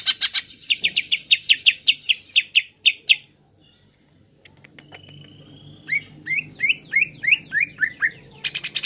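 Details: Greater green leafbird singing as a provoking training track: a fast string of sharp clipped chips, a brief quiet trill, then a series of rising whistled chirps and a loud noisy burst at the end.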